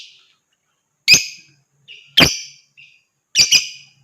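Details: Lovebird calling to prompt other birds into song and ngekek chatter. Harsh rasping screeches spaced about a second apart, the last split into a quick double note, with faint softer notes between.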